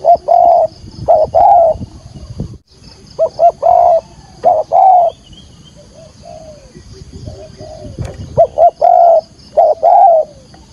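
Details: Spotted dove decoy bird giving the full 'thúc gù' coo series in field-voice style to lure wild doves into a trap: uneven bursts of loud rounded coos, some softer notes between, and a continuous high insect hum throughout.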